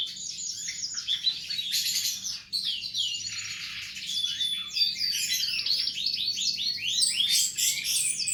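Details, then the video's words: Cage-bird tutor song: a long, continuous, high warble of quick chirps and trills, shifting between rattling runs and rapid downslurred notes, with a few thin sustained whistles woven through. "Berbagai suara burung masteran"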